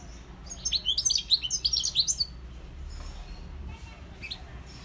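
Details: Wild European goldfinch (Carduelis carduelis) giving a fast, bubbly burst of high twittering notes lasting about two seconds, then falling to faint, scattered chirps over a low background hum.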